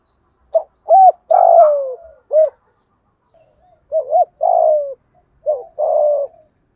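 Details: Spotted dove cooing in the thổ đồng manner, with thúc, gù and gọi elements, for luring decoys and training new wild doves; two phrases, each of quick rounded notes followed by a long, gently dropping coo, with a short silence between.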